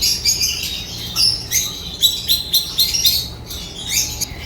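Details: Chattering African lovebirds giving quick high squeaky chirps and short rising notes, clustered in rapid bursts across a few seconds, a low hum in the background.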